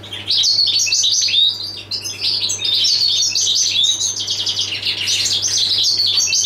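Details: Goldfinch of the passage type (jilguero del paso) delivers a bright, tumbling twitter of high, quick notes mixed with clear little whistles, starting after a short lull and continuing unbroken, with a faint steady hum beneath.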